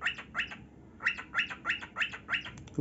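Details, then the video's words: Pet male cockatiel indoors, taught a song but sounding like a cat: a run of seven harsh, harmonic squawking notes, the first two doubled, spaced about a third of a second apart, with a quiet room behind. "Cockatiel Singing"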